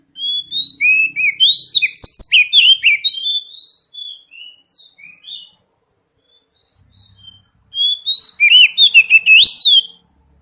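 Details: Oriental magpie-robin (kacer) lure song for prompting untrained birds to sing: an energetic run of rapid whistles and warbles, a few softer slurred notes, a pause, then another dense, loud burst of bright notes.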